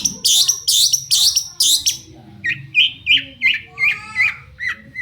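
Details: Lure song of a vocal long-tailed shrike meant to draw replies from other shrikes: several loud harsh screechy bursts, then a string of shorter rising-and-falling chirps, quieter and evenly spaced.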